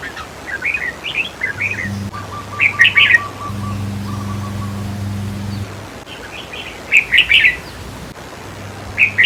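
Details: Red-whiskered bulbul, played to make caged birds excited during trap-cage decoying: several cheerful warbled phrases of rapid notes, some softer and some loud, mixed with a low hum and a brief thin tone.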